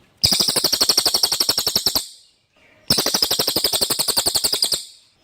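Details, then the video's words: Common iora giving its clear song, used as a tutor for magpie-robins. Two fast, high chattering trills of about two seconds each are separated by a short pause. The pulses are evenly spaced and slow slightly near the end. "suara cililin jernih pas untuk masteran MB"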